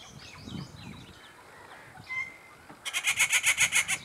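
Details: Rufous treepie breeding locally, heard with its chick: faint twittering of other birds, then a loud harsh rattling series of about eight grating pulses per second lasting over a second.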